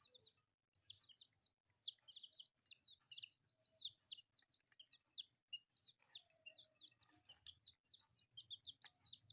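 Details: Many colourful newborn chicks eating rice produce a busy chorus of shrill arching peeps, nearly continuous, with faint low rumbling in the background.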